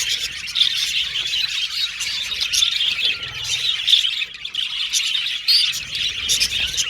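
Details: Flock of budgerigars chattering together, a steady stream of high chirps, squawks and warbled notes with brief louder bursts.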